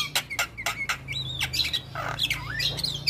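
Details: Male white-eyed Javan myna, sung to stir reluctant mynas: quick harsh notes followed by long sliding whistles that rise and dip, over a steady low electrical hum.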